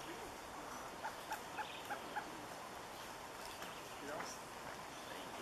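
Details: Surucua trogon song of five soft, evenly spaced hoots about a quarter second apart, followed by quiet background with faint distant birds.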